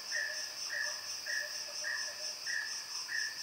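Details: Series of six clipped, level notes from a mountain peacock-pheasant at roughly half-second gaps, set against continuous shrill insect buzzing.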